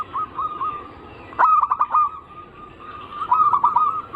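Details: Zebra dove song, anggungan style, used to coax other zebra doves into song: a few soft spaced coos, then a sharp click launching a quick rolling trill, a lull, and a final bubbling burst of rapid notes.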